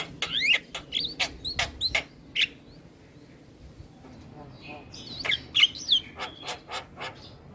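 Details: Vigorous black-winged starling song while head-bobbing: fast ticking clicks mixed with looping, up-and-down whistles, a brief lull, then a further burst of warbled whistles and clicks.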